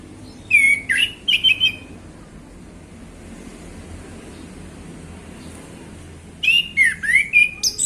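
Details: Male orange-headed thrush singing in the afternoon: two short bursts of sweet, varied whistled phrases with rising and falling notes, separated by about four seconds of quiet with a low background hum.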